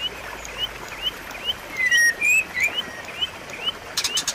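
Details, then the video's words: White-rumped shama song meant to coax a silent bird back into song: soft, spaced whistled notes build to a brief louder burst of sweeping whistles midway, then quick crackling sounds near the end. "pancingan dan masteran murai batu macet bunyi"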